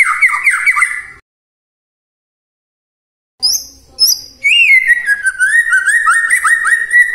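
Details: Morning provocation song of a White-rumped shama, meant to get silent shamas singing: a short warble, a long silence, two high clipped notes, then a flowing run of rising and falling whistles.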